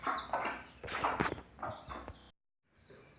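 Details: Broody mother hen with her chicks, clucking to call them to eat: a few soft, broad clucks spaced irregularly over two seconds, then brief silence.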